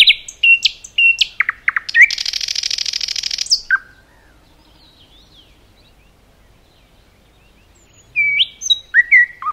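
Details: Nightingale in forest song: sharp stuttered notes, then a loud rapid buzzy rattle for about two seconds, near silence with faint distant notes, then chirping phrases resume.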